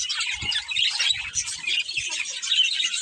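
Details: Busy chirping from a breeding pair of budgerigars: harsh squawky twitters and fast warbling chatter, steady throughout, with soft low thuds in the first half.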